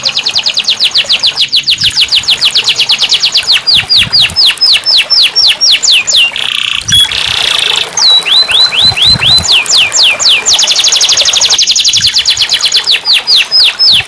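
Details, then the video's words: Continuous canary song meant as therapy for canaries that won't sing: rolling series of fast descending sweeps alternating with dense buzzy trills, about four notes per second, with a brief whistled phrase midway. "terapi kenari macet bunyi"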